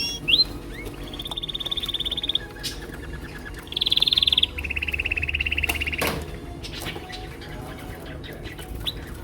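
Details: Several male canaries, kept as pets, sing to impress, each with his own song: fast rapid trills around high pitch in steady rolls, a brief upslurred note at the start, and a low hum beneath.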